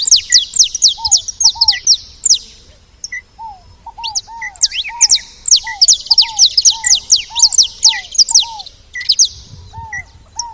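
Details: Several saffron finches at a feeder give rapid, overlapping high chirps in long bursts, with a steady series of lower slurred notes beneath.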